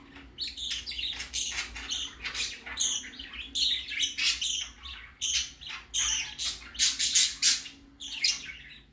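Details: Baby budgerigar going out for the first time, giving a rapid series of harsh, scratchy chirps and squawks in short bursts, broadband and high-pitched, with a faint steady low hum behind.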